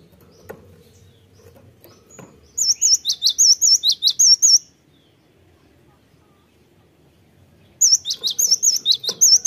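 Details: Gelatik batu, the cinereous tit, in a lure recording meant to spur birds into vigorous song: after a quiet start with soft clicks, a fast string of piercing whistled double notes, a long pause, then another string.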